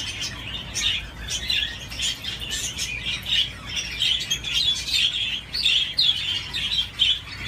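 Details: Pet budgerigar at play on a swing, chattering in a steady stream of sharp, high twittering notes and short squeaky chirps, with occasional soft rustling clicks.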